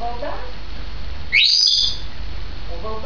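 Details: A two-year-old grey parrot, 16 May 2010, gives one clear, loud whistle that sweeps sharply upward and then holds high, over a low indoor hum with faint voices before and after.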